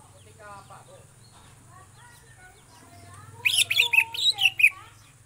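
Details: Greater green leafbird (cucak ijo) from Indonesia: soft low warbling and faint whistles, then a loud burst of six rapid harsh chattering notes near the end, over a low steady hum.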